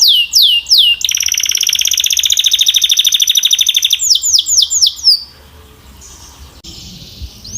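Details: A Belgian canary gives a few sweeping whistles, then a long, loud, buzzy rolling trill for about three seconds, more swooping notes, and finally quiet.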